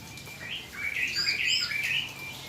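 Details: Yellow-vented bulbul (trucukan) after a rain-bath, said to sound calming: one short bubbly phrase of warbled, slurred notes that rise and fall, loud in the middle and fading at the end, over faint background hiss.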